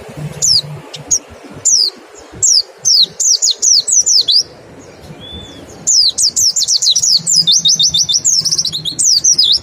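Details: Lure recording of white-eye song in nembak and ngecal style: scattered high falling whistles, a short pause, then a dense chattering run of piercing down-slurred notes toward the end.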